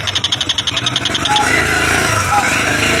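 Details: An Oriental dollarbird (tengkek buto), used as a master-song tutor for cage birds, gives a fast series of harsh, rasping chattering notes for about a second, then steady background hiss with faint thin whistles.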